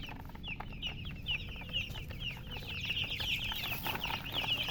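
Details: Chirping of baby chicks, many high, thin peeps tumbling over each other in quick succession and growing slightly louder toward the end, over a low rumbling background.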